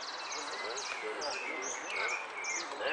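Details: Hooded siskin entered in a singing competition at Monte Grande on 15 November 2015, in the 'Amarillo sin cierre' class. Rapid high twittering and buzzy trills come in short phrases over constant crowd chatter and people talking.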